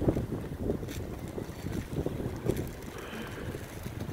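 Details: Gusting wind buffets the microphone over a low rumble like a boat on water, with no clear animal voice.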